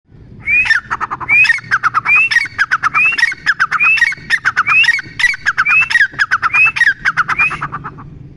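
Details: Grey francolin calling in a loud, steady series: each phrase opens with a rising whistled note followed by several harsh, clipped notes, repeated roughly every 0.8 seconds for about ten phrases.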